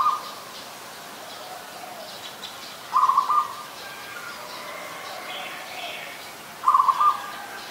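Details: Adult zebra dove recorded at Ubon Ratchathani, Thailand, on 24 February 2022: short, rolling trilled coos of mid pitch, three brief bursts spaced about three to four seconds apart over a steady soft background hiss.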